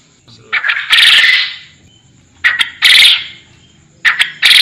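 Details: Forest quail giving rasping, broadband call bursts, each a quick stutter running into a longer harsh note, repeated roughly every one and a half seconds over a thin electronic hum.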